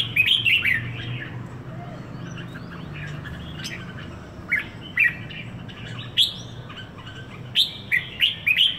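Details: Caged red-whiskered bulbul, locally called merbah jambul, in Singapore, one week in its owner's keeping, sings a burst of bright warbled phrases at the start, then gives short whistled notes every second or so, with sharp clicks between them.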